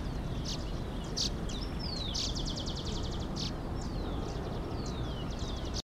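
A young Brown-bellied Swallow gives thin, high chirps and quick downslurred twitters, with one brief buzzy stutter, over a steady low rumble of background noise.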